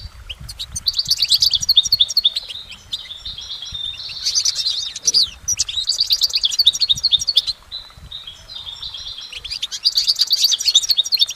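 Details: Goldfinch singing in nature: bright, high twittering phrases of rapid tinkling notes in three long bursts separated by quieter pauses, some trilled and buzzy elements mixed in, with faint low background rumble.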